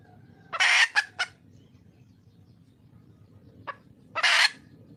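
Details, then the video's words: Red junglefowl hen, wild, calling to attract a male: a loud rasping burst followed by two short clipped notes, a pause with one faint brief note, then another loud harsh burst, all over a low rumbling background. "le bruit d'une poule sauvage,เสียงไก่ป่าร้องหาถู่หาตัวผู้,ສຽງໄກ່ປ່າຮ້ອງຫາຄູ່ຮັກ, poj qaib qus see"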